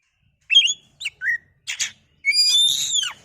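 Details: Oriental magpie-robin lure song to make another bird agitated and sing: short whistled notes and a downslurred whistle, a brief harsh rasp, then a long rich whistle rising and falling in pitch.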